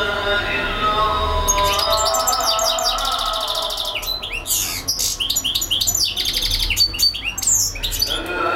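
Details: European goldfinch singing nonstop for hours: a fast, dense twitter of high tinkling notes and quick rising and falling slurs, with some buzzy trills, over steady lower droning tones.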